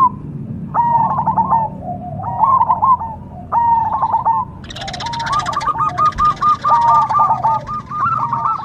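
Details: Zebra dove of the Cemani type sings pulsed, rolling coo phrases. Midway a brief burst of broad hissing noise sounds, followed by a long even run of rapid repeated notes.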